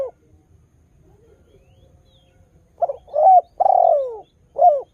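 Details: Spotted dove singing steadily, used to lure other doves to call. After a quiet stretch comes one complete low cooing phrase of two short notes, a long downward-sliding coo and a brief final note.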